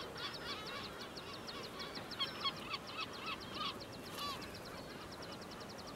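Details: An adult Atlantic puffin calls from its burrow on Skomer Island with low, wavering groans that rise and fall. Other seabird calls overlap, and a fast, high ticking runs behind.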